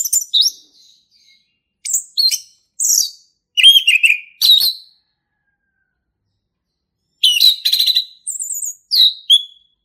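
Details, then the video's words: Male orange-headed thrush in wild forest, singing in separate short phrases of high slurred whistles and chirps, spaced apart, with a long silence before a final scratchy run. "SUARA ASLI HUTAN ANIS MERAH JANTAN GACOR NGEPLONG"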